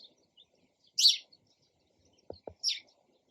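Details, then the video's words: Two loud, clipped sparrow chirps about one and a half seconds apart, with a pair of low taps between them in otherwise quiet surroundings. "SOUND OF SPARROW RELAXING CHIRPING SOUND."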